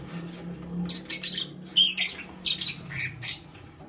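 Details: Lovebird in the morning giving harsh, high, scratchy chirps in short bursts, several close together, then a bright squeak near the middle and more scattered chirps, over a low steady hum.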